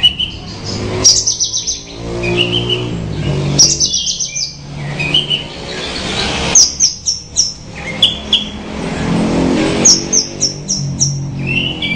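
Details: Branjangan bushlark singing melodiously in repeated runs of quick descending high notes, each run a few notes long, mixed with chips and whistles, over a low droning background.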